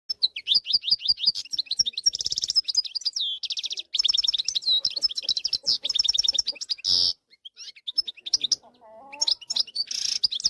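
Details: Wild European goldfinch song, recorded 2024 to train young goldfinches to sing: rapid high twittering phrases, fast trills and buzzy rattles, tinkling notes repeated in bursts with brief pauses between.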